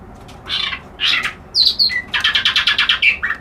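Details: Reed warbler singing: two rough, broad churring notes, then short high whistles and a fast series of about ten harsh repeated chirps ending in a lower note.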